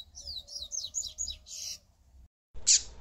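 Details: Rapid chain of high, down-slurred whistled notes from a yellow-bellied seedeater, ending in a buzzy rasp, then a brief silence and a loud click over a low hum.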